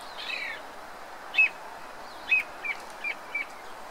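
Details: Song thrush singing in New Zealand, where it is introduced: a soft warbled phrase, then five short, clear whistled notes spaced about half a second apart, against a hissing background.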